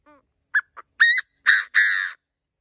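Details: Partridge kept as a decoy gives its crow: a soft lead-in note, two short ticks, then three loud harsh notes, the middle one clipped and the final one longest.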